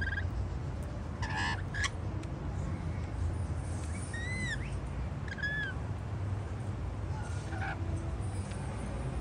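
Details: Rainbow lorikeets feeding on white bread on a patio make a few scattered short squawks and brief curving whistled notes, with long gaps, against a low background hum.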